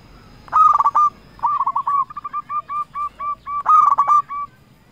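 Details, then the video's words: Local zebra dove singing actively, used as a lure call to provoke rivals into answering: a rapid rolling burst of cooing notes, then a string of short clipped coos, then another rolling burst, over a low background hum. "Perkutut Lokal Gacor Raja Pikat Paling Ampuh Ahlinya Bikin Lawan Gacor Nyaut"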